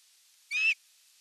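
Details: Osprey at its nest during evening feeding on 30 June 2022, filmed by a nest camera: a single short, high whistled note that rises slightly, alone against a quiet background.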